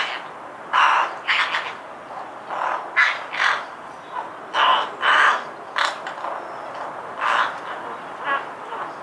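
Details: A rook in a Hampshire, UK garden in 2020 chatters to itself in a varied run of hoarse caws, gurgles and croaky notes, about one phrase every two seconds and irregular in pace; perhaps a form of song, heard from at least two birds.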